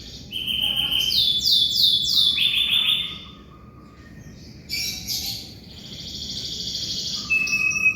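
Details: Canary song meant for tutoring magpie-robins: fast repeated syllables at one pitch, then rapid downslurred notes in a quick series, a pause, and bursts of buzzy high trills with short level whistles.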